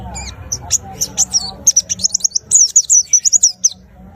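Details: Kept white-eye giving high twittering song phrases, first scattered chirps then a faster run of sliding whistled notes, over a low background hum and faint voices.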